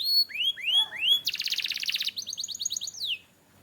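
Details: Canary singing for training: clear arched whistles, then a dense buzzy roll, a run of rapid, higher chirped notes, and a final falling slur before silence.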